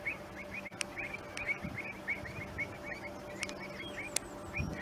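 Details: Pied Avocets on the Stour Estuary between Cattawade and Mistley, calling in agitation because a red kite was nearby; a steady series of short, sharp, high notes repeated several times a second, with a faint low hum underneath.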